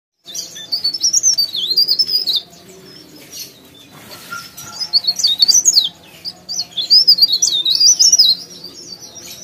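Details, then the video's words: Leaf warbler singing actively: two bursts of thin, high, rapidly twisting warbled phrases, each about two seconds long, separated by a quiet gap with faint background hum. "CIKRAK DAUN | PARE PARE | BLERENG GACOR"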